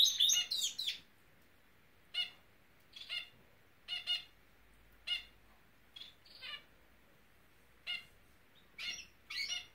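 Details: Norwich canary voicing a brisk burst of twitters, then short, sharp chirps spaced roughly a second apart in a quiet room.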